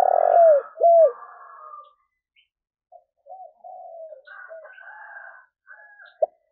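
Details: Spotted dove calling, meant as a lure for wild doves: two loud looping coos open, then softer drawn-out coos and fainter overlapping cooing phrases, with a final short note.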